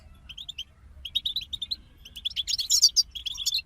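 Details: European goldfinches singing as a group: rapid tinkling, liquid twitters and short chirps, steady at first, then a denser burst of high, bright notes near the end, with a faint low hum beneath.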